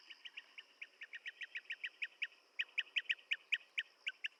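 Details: Blue-tailed bee-eater calling in a fast train of trilled chirps, softer at first, then louder and more spaced, over low background hiss.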